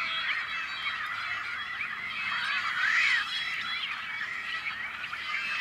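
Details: Rare Tricolored Blackbirds nesting on farmland in California's Central Valley, May 2012. A thick, steady hubbub of raspy, nasal calls from many birds, with one clear rising-then-falling whine standing out near the middle.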